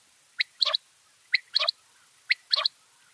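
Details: Common quail in a summer meadow giving its three-part call: a sharp first note followed quickly by a clipped double note, the phrase repeated about once per second, three times over a faint background hiss.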